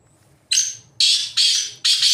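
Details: A wild black francolin roaming freely in jungle gives four loud, harsh, grating notes in quick succession, each about half a second long, against a quiet background.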